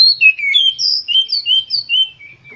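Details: Oriental magpie-robin singing with full emotion to provoke other magpie-robins: a flowing run of clear whistled notes, some slurred downward and some rising, phrases varied and continuous for over two seconds, with a faint low rumble behind.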